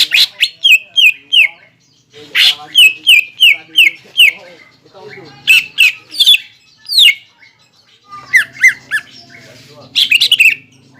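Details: Greater green leafbird lure song used to stimulate contest birds into the ngentrok fighting style, heard as bursts of sharp, downslurred whistled notes repeated quickly in runs of four or five, separated by short pauses.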